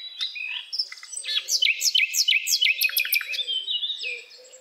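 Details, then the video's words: A common nightingale sings a rich, varied phrase of sharp chirps, whistles and rapid trills, several notes a second, clear with little else heard. "Nightingale bird singing the beautiful sounds (chirping)"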